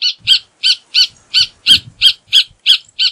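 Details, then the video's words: Rufous hornero singing: a steady series of harsh, loud notes, about three per second, evenly spaced across three seconds, with faint low thumps in the background. "Hornero Canto - Rufous Hornero Bird Song"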